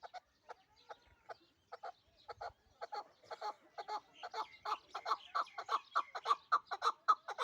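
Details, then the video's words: Chukar partridge from the Pamir, kept in Dushanbe: a rapid series of clucking chuk notes, sparse at first, then building into a louder, faster run at about two per second. "Кабки Помир"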